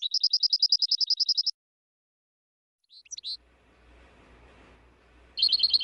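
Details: European goldfinch song for training birds: a quick, evenly repeated high trill of about a dozen notes, a long pause, a few scattered squeaky notes over faint hiss, then another bright trill at the end.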